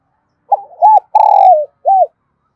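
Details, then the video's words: Spotted dove kept as a decoy in Đồng Nai, Vietnam, cooing to draw in wild doves. A single phrase: a rough stutter, a rounded coo, a long buzzy descending coo, and a clipped closing note, in silence. "Tiếng chim cu mồi gáy gọi vang cả bản làng Đồng Nai 2"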